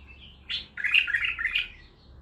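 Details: Baghdadi-style song from a raw, captive bulbul: a soft thin note, then a sudden bright warbling phrase of quick, liquid, bubbling notes that rise and fall before fading into quieter twittering.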